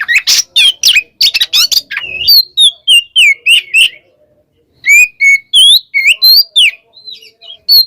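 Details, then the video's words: Singing Oriental magpie-robin, 'kembar ngeplong' style, aimed at a rival: fast chirps lead into a series of clear whistled notes, many rising then falling, with a one-second pause midway before the whistles resume. "suara burung Kacer KEMBAR NGEPLONG memanggil lawan"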